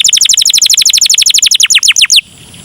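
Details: Canary singing a long-duration song used as a lure for other canaries: a fast even trill of about twenty high, descending notes lasting two seconds, then stopping abruptly.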